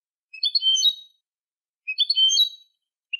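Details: European goldfinch song used to train young goldfinches: two tinkling twittered phrases of under a second each, about one and a half seconds apart, followed by a short chirp, silent background.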